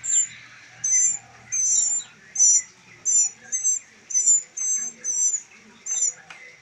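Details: Three rescued baby northern mockingbirds, raised in rehabilitation for later release, give high, thin, hissing calls in short bursts, about eleven in six seconds, over faint lower chirps.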